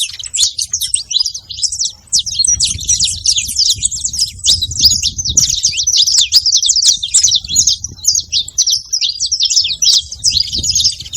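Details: Saffron finches crowding a feeding spot, a constant, clamorous twitter of high chips from many birds at once, over a soft low murmur.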